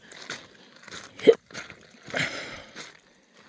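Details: Soft human speech and a few handling thumps make up the sound, with no animal voice present.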